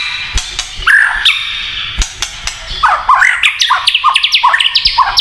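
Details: White-rumped shama in kretekan song style meant to stir other shamas: a few sharp clicks and a sliding whistle, then a fast run of rising, chattering notes in rapid succession.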